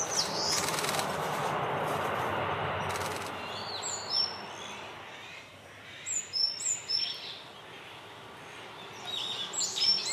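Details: Japanese pygmy woodpeckers in mixed woodland on fledging day, 8 May 2020, in the morning as the parents urge the young to leave the nest, give thin, high, squeaky calls in short scattered bursts after a few seconds of rushing, noisy background.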